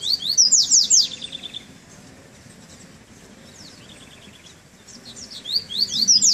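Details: Double-collared seedeater in moult recovery, first chilly outing, sings Treme Terra phrases: a rapid cluster of high sweeping notes at the start, a faint trill midway, then another sweeping burst at the end.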